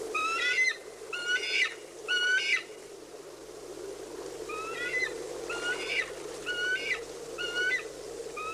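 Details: Bald eagle at a North American nest with chicks competing for food, giving thin, high, chittering whistles in short bursts, roughly one a second, over a steady low hum.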